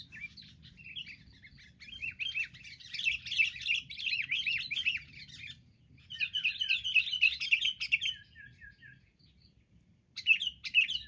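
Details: Wild sooty-headed bulbuls attacking in a group: loud, dense chattering of overlapping, rapid slurred chirps in long bursts, a pause, then another excited volley and a final short outburst.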